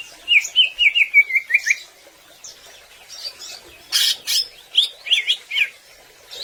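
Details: Greater green leafbird in gacor song used to train other birds: a quick descending series of short whistles, quiet scattered notes, then loud raspy bursts and a few squeaky chirps.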